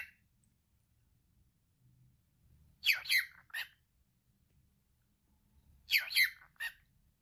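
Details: Male pet cockatiel mimicking speech: two bursts of three scratchy, buzzy syllables, roughly three seconds apart, with faint low background rumble between them.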